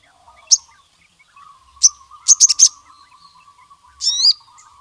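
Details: Sogon voicing a challenge to rival males: scattered single high chips, a tight burst of four ringing notes, then a falling swept call, with a constant low warble in the background.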